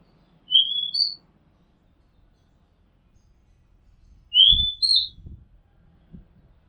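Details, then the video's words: Oriental magpie-robin recorded from a house rooftop, giving two short whistled phrases about four seconds apart, each a rising slur and a higher clipped note, over faint low background rumble and knocks. "Oriental Magpie Robin Sound Long play | เสียงร้องนกกางเขนบ้าน"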